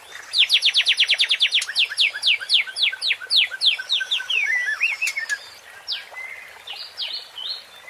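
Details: Provoking song of a white-rumped shama for Indonesian songbird contests: a fast burst of bright descending whistles that slows into spaced downslurred notes, followed by scattered twisting phrases and softer chatter.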